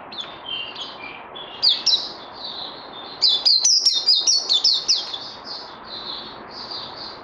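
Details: Trained songbird, 18 May 2020: scattered soft whistles open the phrase, then a dense rapid volley of sharp, high slurred notes follows before tapering into gentler drawn-out whistles.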